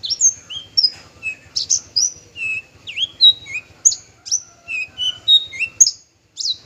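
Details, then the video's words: A male parva bushlark sings a lively, varied phrase of whistled notes jumping between mid and very high pitches, some slurred up or down, delivered in quick succession with a brief pause near the end. "branjangan parva"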